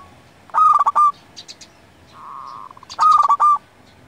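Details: Zebra Dove of a local strain, singing for luring and tutoring: two loud staccato coo phrases around a long, steady, softer hum-like coo, with faint chirps between.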